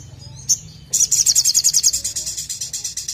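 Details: Ashy drongo's loud rapid-fire song, used to prompt other birds to sing: one sharp chip, then a long, fast, evenly pulsed high-pitched trill of about twenty notes that slowly softens.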